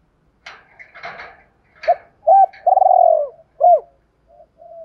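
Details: Decoy spotted dove calling in 'thúc rút' style to challenge wild doves. Brief rustling and clattering noises open, then a coo, a long quavering croo and a final coo, followed by soft low murmurs.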